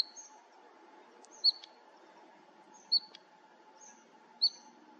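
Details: Bluethroat at Fokstumyra nature reserve, 2021, giving short, bright high notes about every one and a half seconds, with fainter thin notes between, over a low steady hum.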